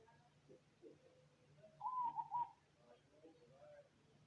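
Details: Cemani zebra dove delivering one bubbling, broken coo phrase with faint chirps before and after, over a soft steady hum.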